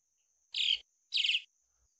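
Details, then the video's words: A swallow gives short, scratchy twittering bursts, each about a quarter second long, repeated roughly every half second, over a faint steady high hiss. "O Som da Andorinha"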